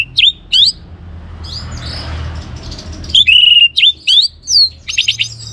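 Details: Lively orange-headed thrush song, played to get other birds singing: two bright upslurred whistles, a short pause, then a rush of sharp rising and falling notes and clipped chips.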